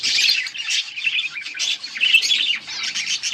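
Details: Budgies on August 15, 2024 give loud, close, buzzy chirping: a rapid stream of scratchy warbled notes and high squeaks from several birds, rising and falling in short bursts.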